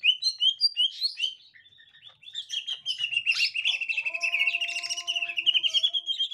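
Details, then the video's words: Green leafbird, captive, encountering a young wild leafbird: quick high chirps, a brief pause, then a long continuous twittering trill with overlaid buzzy notes and a faint tonal hum near the end. "Tingkah Cucak Ijo Gotri Saat Di Temukan Cucak Ijo Muda Hutan"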